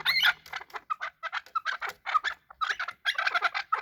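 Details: Fighting chukar making rapid clucking calls, short harsh notes grouped in quick bursts with brief pauses between groups, loud and nearby.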